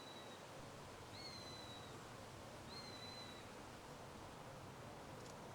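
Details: Eurasian sparrowhawk, one of a nesting pair visiting a big old beech tree. After a faint whistle at the start come two clear, long, flat, high whistles about 1.5 seconds apart, each slightly rising at onset, over steady background hiss.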